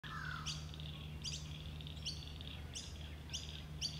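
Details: Pacific black duck ducklings following their mother at local wetlands give thin, high peeps, repeated about every two-thirds of a second, over a steady low hum.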